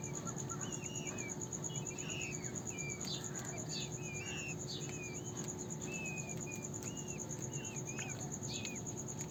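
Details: Peafowl chicks giving many quick, hooked whistled peeps, some rising and some falling, tumbling over each other about twice a second, with a constant high cricket-like tone and low hum throughout.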